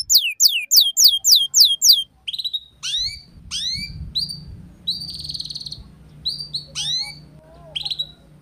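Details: Young canary learning ngeriwik singing. It opens with seven quick rising chirps, then spaced high whistled upsweeps and short buzzy notes over a low background rumble.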